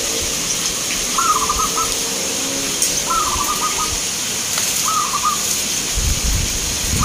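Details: Local zebra dove singing in a contest held in Grabag, Magelang, Indonesia: three separate soft, trembling coo phrases spaced roughly one and a half seconds apart, with steady hiss and occasional clicks and knocks.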